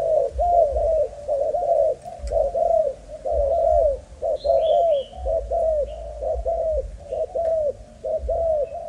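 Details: Young Malaysian-type spotted dove of breed line 55 cooing: a steady series of arched, hollow coo notes, roughly one per second, with a low rumbling hum underneath and a few faint higher chirps.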